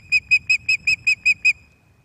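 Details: Female Osprey on her nest at Loch of the Lowes, 11 May 2024, evening, a visiting male nearby: eight clear, high whistled chirps, evenly spaced and quickly repeated over about one and a half seconds, then silence.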